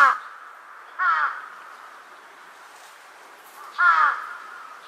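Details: Large-billed crow calling back to distant crows, 2 September 2022; sharp harsh caws spaced one to three seconds apart, one fainter in between, over a steady background hum.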